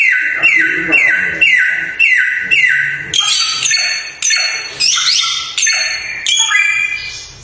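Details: Samyong bird in lively song: loud descending whistles repeated about every half second, then switching to varied higher rising and falling phrases.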